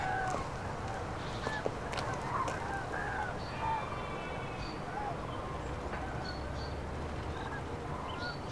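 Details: Common cranes migrating north over central France, 5 March 2016, in bad weather; scattered distant trumpet-like calls and short higher notes rise above a dull, noisy background.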